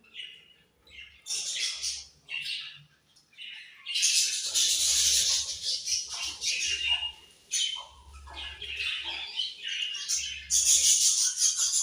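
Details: Budgerigars chirping in a noisy cluster, bursts of high scratchy twittering and warbling coming and going over about twelve seconds, with a soft low thumping underneath.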